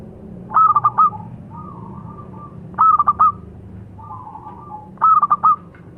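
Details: Zebra dove, a local perkutut, gives three clipped phrases of four bubbling cooing notes, with a softer drawn humming coo between the phrases and a low steady rumble behind.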